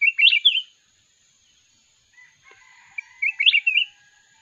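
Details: Mountain red-whiskered bulbul singing in a song contest; two short, sweet warbled phrases about three seconds apart, with a faint steady high tone in the background.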